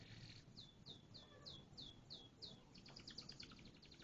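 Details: Canary song made of sharp, high downward-slurred notes repeated about three times a second, then breaking into a faster buzzy trill, over a steady low background hiss.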